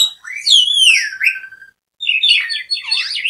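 An Asian pied starling gives loud, varied song: sweeping whistles falling from high to mid pitch, then a burst of harsh, chattering warbles after a brief pause.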